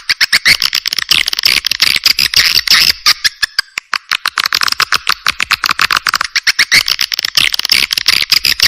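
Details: Swiftlet calls built from several clear swiftlet recordings and used to attract swiftlets: dense, rapid, repeated clicking chirps with buzzy high tones, steady and loud throughout.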